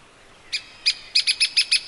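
A grey-capped pygmy woodpecker gives a quickening series of about seven high, squeaky notes, speeding into a short rattle over a quiet background.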